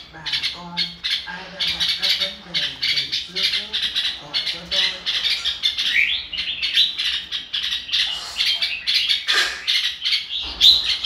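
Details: Red-whiskered bulbul singing fired-up "ro kích bổi" song: a long, busy stream of chirps and warbled slurs. Low voice-like tones sound in the first half, then the song carries on alone.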